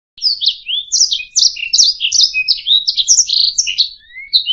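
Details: Canary song used as a tutor recording for training other songbirds: a continuous run of clear, varied whistled and chirping syllables, some rising, some falling, delivered rapidly and evenly.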